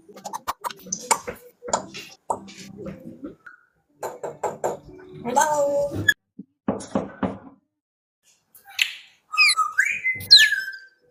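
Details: A female African Grey parrot indoors, socializing with another grey parrot over a live video call, gives a burst of clear, swooping whistles rising and falling over a wide pitch range after several seconds of talking.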